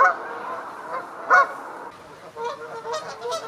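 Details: Canada geese honk to advertise and defend territories, or just before and during flight: loud, nasal honks in an uneven series, one strong honk standing out among softer overlapping calls from several birds.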